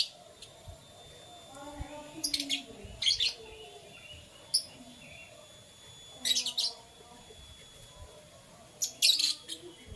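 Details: Canaries in the morning giving short clusters of sharp, high twittering notes every few seconds over a soft, low background hum.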